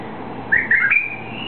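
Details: White-eared bulbul of eastern Saudi Arabia, being set free, utters a quick fluty phrase of three warbling notes ending in a thin sustained whistle, against mild background hiss.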